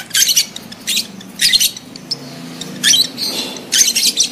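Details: A lovebird in breeding condition calls to stir other adults to mate. It gives four or five bursts of rapid, shrill, scratchy chattering, about once a second, over a faint low hum.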